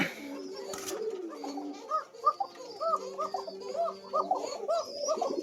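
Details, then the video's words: Thin-voiced Koka pigeons of a Japanese line, caged breeding pairs with chicks on a farm in Bangladesh: a run of short arched coos, roughly one per second, with a fainter low drawn tone and room noise. "চিকন ডাকের কোকা কবুতর"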